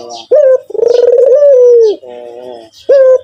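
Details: Actively calling white Barbary dove: a clipped rising note, then a drawn-out trembling coo that levels off and drops, followed by a quieter buzzy tail and the next opening note.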